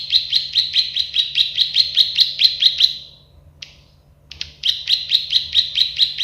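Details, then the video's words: Plain prinia, known locally as prenjak sawah or klik-klik bird, singing a fast series of buzzy, ticking notes about seven per second, breaking off briefly near mid-clip before resuming the same rhythm. "Masteran burung prenjak sawah klik-klik"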